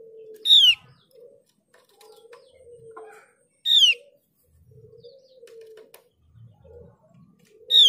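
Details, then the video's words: A Javan grey-throated white-eye (Mees's white-eye), endemic to Java and Bali, plays as lure audio meant to make other birds sing and answer: a sharp, high, downslurred whistle repeated about every three seconds over a low, steady hum. "Pancingan opior jawa biar gacor"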